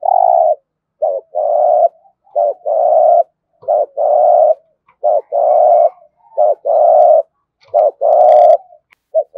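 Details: 'Giọng thổ' cooing of a spotted dove, meant to provoke cooing: a steady run of about seven paired phrases, each a brief note followed by a longer even, low purr, spaced roughly a second apart.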